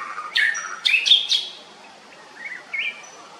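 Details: A female Siberian blue robin (Luscinia cyane), while feeding, gives a quick run of harsh, high chirps, then two softer rising notes after a short pause.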